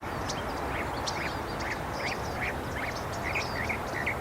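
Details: Northern mockingbird singing: a steady run of short, clipped notes repeated in quick phrases with a few higher chirps, over strong, constant background noise.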